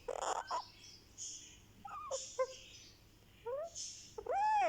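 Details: Indian ringneck parakeet chick, one month old, making soft sweet sounds during a head massage: scattered chirps, brief rising squeaks and a final loud upward-curving whistled squeal in a small room.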